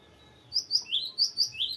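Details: Long rolling song of a cinereous tit (gelatik batu) in lively voice, clear high notes alternating with lower downslurred ones in rapid pairs, about six notes in just over a second after a short silence.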